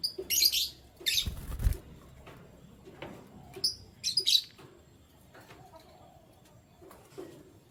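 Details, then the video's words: Canaries in the morning giving a few loud, high chirping bursts at the start and near the middle, with a low thump and quiet background between them. "Canary Chirping Sounds"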